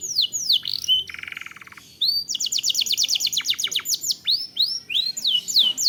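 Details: Lure recording of a canary's long-rolling song: quick sweeping whistles, a steady lower buzzy trill of about a second, then a long run of rapid descending slurred notes and final sharp chirps.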